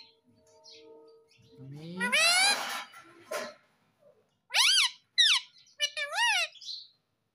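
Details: Pet Indian ringneck parakeet, a talking parrot said to say 'Mummy Papa' and 'Mitthu Mitthu', indoors, giving a rising harmonic squawk and then three short, loud, arching screechy notes, with a faint steady hum at first.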